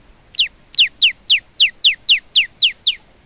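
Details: Lively male olive-backed tailorbird with varied song, used to teach other birds: loud, high downslurred notes repeated rapidly, about four per second, each sliding sharply from very high to lower pitch.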